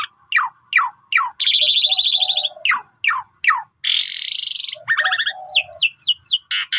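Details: Pied myna singing steadily in a long, varied full-isian style, used as a lure to get silent birds singing: steep falling whistled slurs, buzzy rasping bursts, low hums, and a final run of quick rising chirps.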